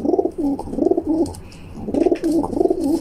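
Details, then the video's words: Young female rock pigeon indoors, fighting and pecking at a hand, cooing a lot; rolling low coos in two clustered phrases separated by a short pause, with light tapping sounds. "Young Female Pigeon Fighting Pecking and Cooing"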